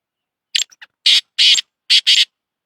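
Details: Black francolin, locally named Shedi Sindhi kala tetar, giving a harsh grating phrase: a short scratchy lead note and two faint ticks, then two long rasping notes and a quick closing pair, with no other sounds.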